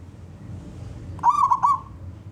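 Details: Male zebra dove of local wild origin, singing to lure other doves to call, produces one short burst of quick rolling coo notes against a soft low rumble.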